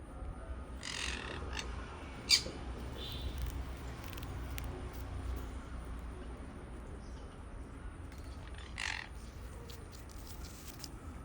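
A sun conure gives a few harsh, shrill screeches over a low background rumble.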